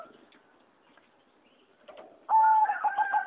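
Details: Competition singing zebra dove in a flight aviary, 26 April 2014. Faint bird chatter gives way to a loud, steady whistled note and then a short, rolling coo trill.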